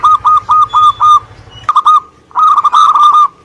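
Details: Local zebra dove from Indonesia singing rapid, evenly spaced cooing pulses, then a clipped break and a longer bubbling run of rolling notes; a low buzzing hum in the first half.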